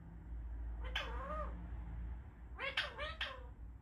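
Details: Indian ringneck parrot talking: a wavering nasal phrase, then a quick pair of similar harsh, meow-like syllables with bending tones, indoors over steady low hum.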